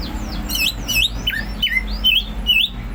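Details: Greater green leafbird in ngentrok song, a quick run of bright whistled notes that dip and rise, delivered almost without pause, with a soft low hum underneath.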